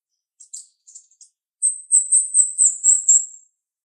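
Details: A few soft, scratchy high chirps from a female jalak rio-rio starling, then a sharp sustained run of loud, piercing, rapidly pulsed whistled notes lasting about two seconds.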